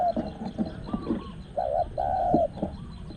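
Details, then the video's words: Spotted Dove cooing during a dove-luring session with a caged decoy bird at spot 14; a wild small-voiced bird is present. A short mellow coo is followed by a longer, steady coo, with thinner whistled notes and rustling behind. "ต่อนกเขาใหญ่ | หมายเสียงเล็กโกดๆ"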